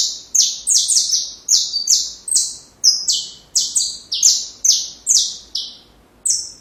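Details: Saffron finch song meant for teaching young birds: a rapid string of loud, high, sharply descending chirps and buzzy notes, tumbling along about twice per second with brief gaps, over a quiet background.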